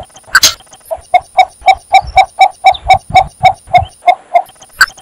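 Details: Calling cinnamon bittern delivers about fourteen evenly spaced, low clucking 'kok' notes at a brisk, regular pace, with faint background rustles and a couple of sharp clicks.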